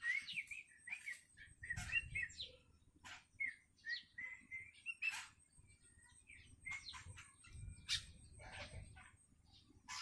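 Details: A hungry young Long-tailed Shrike, calling actively and practising its voice, gives varied sharp chirps and short slurred whistles in an irregular, chattering sequence broken by brief rasps, with low rumbling background.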